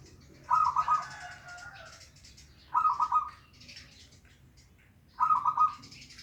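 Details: Zebra dove, a local bird, singing to prompt a silent dove into song; three bubbling, trilled coos arrive roughly every two and a half seconds, with faint softer chirps between.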